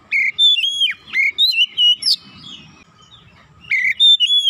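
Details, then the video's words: Oriental magpie-robin in energetic gacor song after a single lure: sharp upslurred whistles and short bright phrases come in loud bursts, with a quieter gap in the middle and faint low noise. "Kacer macet bunyi sekali pancing langsung semangat bunyi gacor"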